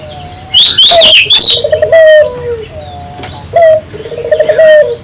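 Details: To encourage local doves to sing, a spotted dove coos: accented note, fast stuttered run, long descending ending, twice over. A burst of bright, high chirping from another bird opens the recording.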